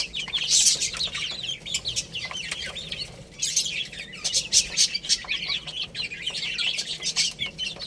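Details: Little chickens feeding and playing, a constant chatter of piercing downward chirps from many chicks, with sharp taps and brief louder flurries.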